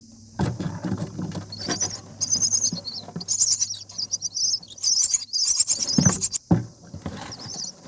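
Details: Common myna nestlings at seven days old, being fed by a parent in the nest: harsh, hissing high rasps in uneven bursts, with low thumps and rustling from the nest and a faint steady hum.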